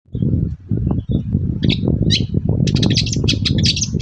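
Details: Long-tailed shrike singing energetically in the morning, a lure to make other shrikes answer: after a quiet start, brief harsh notes, then dense rapid buzzy chatter, over a steady low rumbling background.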